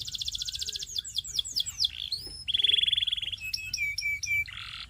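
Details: Belgian singing canary in loud, high song: fast buzzy trills, a run of swooping down-slurred notes, a steady rapid rattle, then clipped whistles and a harsh closing burst, all clean with no other sounds.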